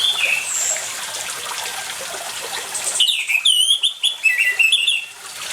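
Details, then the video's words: Water sounds with orange-headed thrush song, meant to coax silent birds into singing: running water for three seconds, then a lively run of loud, varied whistled phrases, rising and falling notes in quick succession. "ANIS MERAH GACOR DENGAN SUARA AIR"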